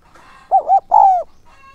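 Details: Spotted dove used as a lure for wild doves, 'son' voice style: a crisp coo phrase of two short notes and a longer sliding-down third note, with a faint thin whistle before and after.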